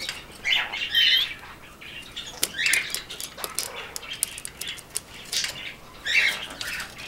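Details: Caged pet male rainbow lorikeet calling for attention as it greets its owner; quieter rasping squawks come in short clusters among frequent sharp clicks and taps, with a faint room hum beneath.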